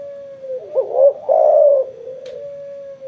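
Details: Following sunbathing, a spotted dove gives a single low coo phrase: a steady hum, a wavering double note, a louder full coo, then a long fading level tone.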